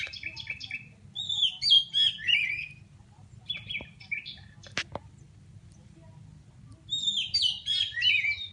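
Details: Oriental magpie-robin of the Aceh Pidie type, chattering while seeking an opponent: rapid bursts of varied, warbled and scratchy high phrases separated by pauses, with one sharp click and a low steady hum behind.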